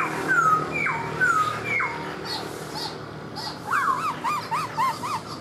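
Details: Black-throated laughingthrush kept in a cage, singing while it dances with its tail spread like a fan: long falling whistled slurs, then a quick run of bouncing, arched notes.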